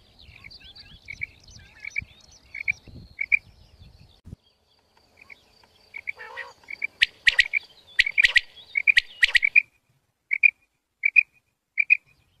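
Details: A female quail gives short, high, chirping notes in pairs and triplets, repeated about every half second, over low rumbling noise and a few sharp clicks.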